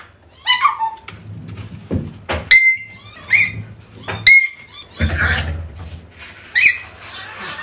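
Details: African Grey Parrot calls meant to bring back a lost bird: short rising whistles and harsher squawks scattered among thumps and low rumbling handling noise.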